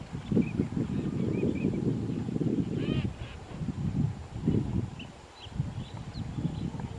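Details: Common teal at Haifeng Wetland, Pingtung County, on January 15, 2021, recorded with a Canon PowerShot camera; brief high whistled notes repeat scattered through the clip over heavy low rumbling background noise.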